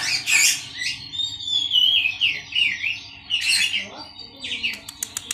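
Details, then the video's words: Oriental magpie-robins in a colony, kept together so a skittish bird grows calmer and starts singing sooner. A varied, rambling song of sweet slurred whistles and twittering phrases, with short chattery bursts. "kacer giras dikoloni saja"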